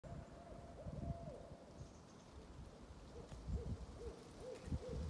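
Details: Barred owls hooting and chattering at the edges of their territories, Pine Hill Park near Rocky Pond, Rutland, Vermont, April 2020; faint distant drawn-out hoot, then a quick run of short rising-falling notes over low rumbling background noise.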